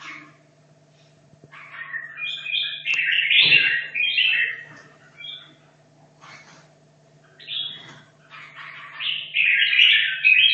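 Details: Red-whiskered bulbul, caged two and a half years and rehearsing for a singing contest, gives chattering, rising warbles building to loud sustained phrases near the end, with a knock and a faint hum behind.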